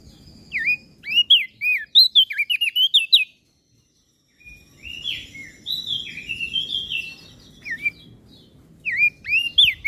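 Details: Masteran of gacor crested darkeye and Lombok prinia for training caged birds: quick rising whistles and chips, a brief gap, then rasping buzzy trills and further swooping notes over a faint rumble.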